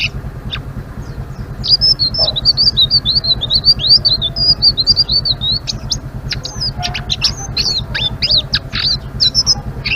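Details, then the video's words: Ngeriwik-style chatter from a Blue-winged leafbird in full voice: after a quiet start, a fast run of high twisting whistled notes, then clipped chips and slurs, over a constant low droning hum. "Suara Burung Selendang Biru Gacor❗❗ Ngeriwik"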